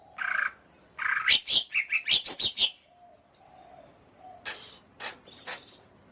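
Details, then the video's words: Greater green leafbird song: two buzzy notes, a quick string of sharp warbled chirps, faint low whistles, then a few harsh high calls. "Suara Burung Cucak Ijo"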